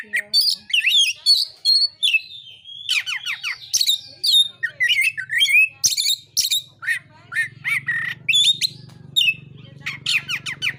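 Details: Oriental magpie-robin fighting song used to provoke rival birds: long varied stream of chips, downslurred whistles and harsh high bursts, with a low hum growing louder in the second half.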